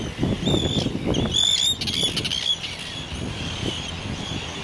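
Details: Arctic terns on Inner Farne, Farne Islands, Northumberland, UK, on 6 June 2013, give high, strained squawking calls in quick, uneven bursts, several birds overlapping over low wind rumble and flapping.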